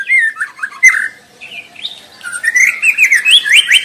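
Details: Wild shama singing continuously: soft downslurred whistles, a quiet gap, then a swelling stream of high, rapidly repeated chirping notes rising in pitch.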